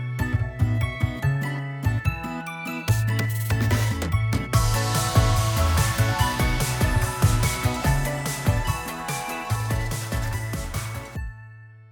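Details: Upbeat instrumental music with a steady bass line and bright chimes plays throughout, with no animal sounds.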